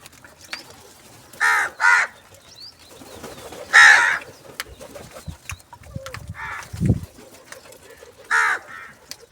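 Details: Morning crow calling for food. A close pair of rough, raspy caws is followed by a single loud caw, then two more spaced caws. A brief low thud is heard between them.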